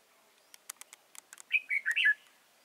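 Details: Trapping decoy red-whiskered bulbul at Chùa Hương, Vietnam, 31 March 2018: a run of sharp clicks and taps, then one bright warbled phrase of slurred rising and falling whistles.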